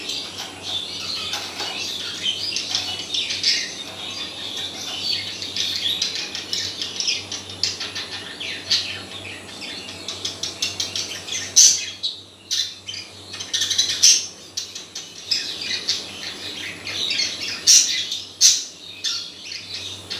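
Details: A pair of budgerigars during mating activity warble in a fast, scratchy stream of chirps and squeaks, broken by a few wing flutters.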